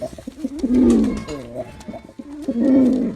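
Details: A male pigeon performing sings two loud, burbling coos, the first rising and falling, the second starting near the end, with soft murmurs between them in a quiet indoor setting.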